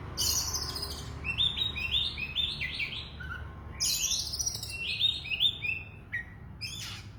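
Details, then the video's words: Oriental magpie-robin singing steadily: series of short stepped whistled notes and high scratchy phrases in quick groups, over a constant low background hum. "kacer super gacor full"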